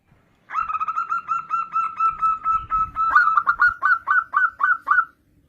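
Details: Zebra dove, a local perkutut, delivering a long run of about twenty short, even cooing notes, quick and steady at first, then becoming slightly louder, more separated and bubbly toward the end, against a quiet background.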